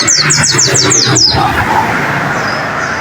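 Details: Pleci (white-eye) training song for caged birds: seven quick, high, down-slurred chirps in about one second, then only hiss and low noise.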